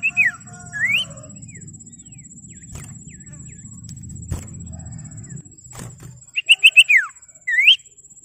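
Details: Common iora calling rivals and prompting other ioras to sing. Rising and falling whistled slurs open the recording, a long quiet stretch with low rumble follows, then a quick run of clear notes ending in a descending whistle.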